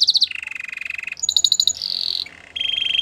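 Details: Belgian canary song, recorded for training canaries: a quick stutter of high notes, a long low buzzy trill, a brighter high rattle, then a sustained shimmering trill.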